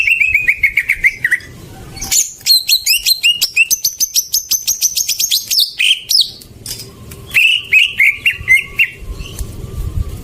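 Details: Greater green leafbird song played as a lure to prompt a silent bird to sing: a quick descending trill, then a long dense run of high, varied whistled notes and buzzy phrases, followed by another bright trill.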